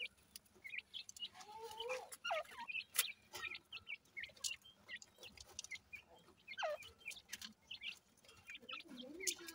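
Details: Partridge (teetar) chicks feeding in the morning give thin, high peeping calls in quick bursts, mixed with a few lower clucking and rising notes from adult birds nearby.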